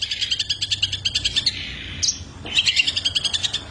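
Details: Long-tailed shrike in full, lively song with a rich repertoire: fast pulsed chatter repeated about six times a second, a sharp high upslurred note, then a fresh run of rapid rhythmic twitters.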